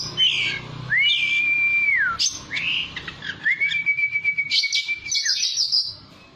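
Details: Oriental magpie-robin song for provoking a kept bird into answering: two long, flat whistles with slurred starts and ends, separated by short rich twitters, ending in high chatter.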